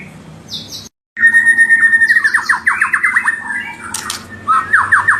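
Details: Murai batu, or white-rumped shama, singing a lure song meant to agitate rivals: clear whistled notes, then a fast cascade of down-slurred whistles and a sudden high sharp note, with faint hum beneath.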